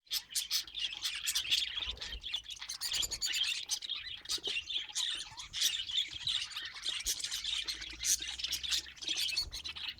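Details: Budgerigars, colourful pet birds, giving dense, continuous chirpy chatter of short high tweets and squeaky warbles that overlap without pause, with occasional sharper squawk-like notes.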